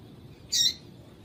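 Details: A single short, high, bright chirp from a female seedeater (papa-capim), a call meant to excite males into song, with faint background hiss.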